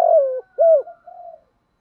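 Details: Decoy spotted dove cooing: a long note sliding downward, then an arched hollow coo, then a softer trailing purr, heard close and clear.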